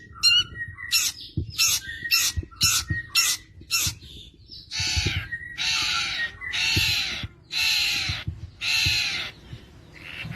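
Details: Long-tailed shrike, kept as a songbird valued for imitating other birds, in full song: a string of sharp, clipped whistles, then longer harsh, buzzy, rasping notes repeated about once a second.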